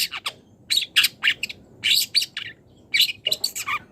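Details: Young wild long-tailed shrike calling out to a rival, giving rasping, scratchy chattering notes in quick bursts, some sharper chip-like elements mixed in, with short silent gaps between groups.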